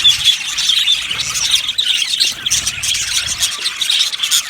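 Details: Budgerigar colony in an aviary, yellow birds chirping; a bright, squealing note leads into steady overlapping twitters and scratchy chatter.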